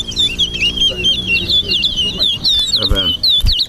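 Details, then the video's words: Towa towa (large-billed seed-finch) competing in a Linden-versus-Georgetown singing race in Guyana: a continuous stream of bright, wavering whistled trills with rising and falling slurs. Speech is heard under it, with a short knock near the end. "TOWA TOWA BIRD RACE AT LINDEN"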